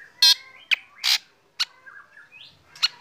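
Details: Black drongo singing in the morning while sunning, said to set other birds singing; short harsh bursts and brief notes with slurred whistled phrases between, scattered across three seconds.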